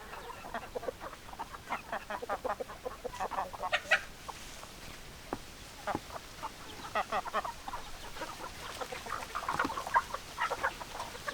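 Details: Hens give a steady stream of short, sharp clucks from several birds, scattered unevenly and overlapping throughout.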